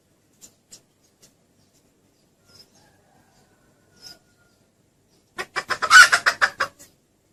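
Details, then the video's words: Red junglefowl hen calling, used as a lure for hunting: after a few faint soft ticks, a quick burst of about eight harsh, cackling clucks over a second and a half; the cock reportedly comes straight over in response. "Suara ayam hutan betina Si jago langsung menghampiri"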